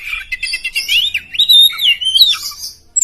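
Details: Oriental magpie-robin of the poci variety, a songbird chosen by contest judges, singing a loud, rapid, varied song in the style called nembak ngeplong to provoke rivals: sweet whistled slurs rising and falling, packed tightly together without pause.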